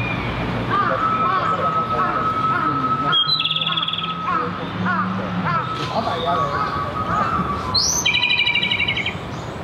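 Japanese robin song: a high opening note breaking into a fast, rattling trill, twice. Other birds chirp in a busy background, with a faint voice.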